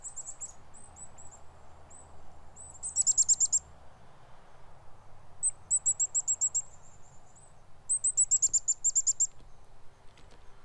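A chickadee gives thin, very high notes, then rapid bursts of harsher repeated notes, twice over, against a soft low hum.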